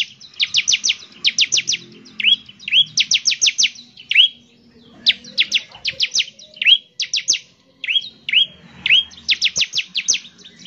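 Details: Energetic bar-winged prinia song played to prompt other prinias to sing: rapid bursts of high chirps in quick trills alternating with single down-slurred notes, in a clean recording.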